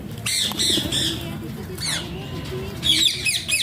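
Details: Alexandrine parakeet giving harsh, ringing squawks in short bursts, with softer voice-like murmurs between them and a low background hum.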